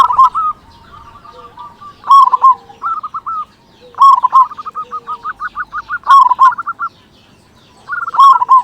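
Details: Zebra dove of local stock with a big voice, singing to provoke other doves into song: choppy trilled coos follow each other closely, ending in rolled phrases roughly every two seconds.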